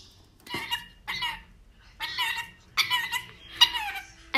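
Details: A pet lory giving harsh, raspy squawks in five bursts about half a second long, spaced irregularly, indoors.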